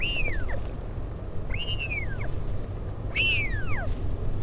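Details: Three high, bending whistles, each rising quickly and sliding down, come from a northern royal albatross nest at Taiaroa Head, Dunedin, New Zealand, as a parent visits its chick on 16 July 2019; wind rumbles behind.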